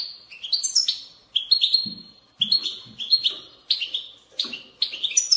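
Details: European goldfinch singing to stimulate other goldfinches to sing: a rapid, tinkling twitter of bright, slurred chirps in short bursts about every second, with faint low rustles between phrases.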